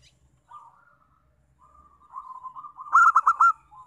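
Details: Local zebra dove song used as a lure to make other doves sing: soft wavering coos, then a loud burst of four rapid stuttering notes near the end, in a quiet setting.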